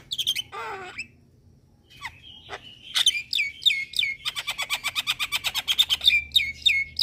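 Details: Starling calls played as a lure to make wild starlings answer: scattered sharp chirps and a raspy note, then a fast even run of clicking chips, about three per second, ending in high whistled upslurs.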